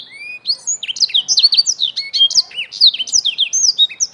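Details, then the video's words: A young black-throated canary, played as lure audio to get birds singing, sings a fast, unbroken twitter of high, sweet slurred notes and short trills, several notes each second, with no other sounds. "memancing BLACKTHROAT MUDA CEPAT GACOR"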